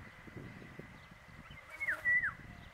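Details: Paddyfield pipit from Rajasthan, India: two short, sharp descending notes close together near the end, over a steady high hum and low rumbling background noise.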